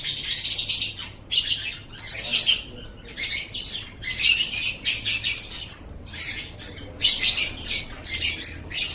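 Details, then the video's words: Lovebird song for training other songbirds: dense bursts of shrill chattering and squeaky twitters in a run of rapid phrases, some pure whistled squeaks mixed in, with brief pauses between bursts. "Masteran Suara Burung Love Bird"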